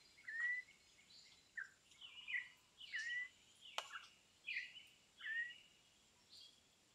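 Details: Campo troupial song: loud whistled notes that slide downward, given in short phrases about every second, with a steady high hiss in the background.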